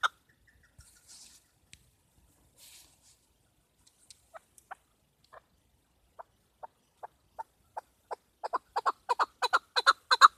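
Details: Chukar partridge female hunting call: scattered soft noises, then isolated chuck notes about one every half second, accelerating and swelling into a loud rapid series at the end.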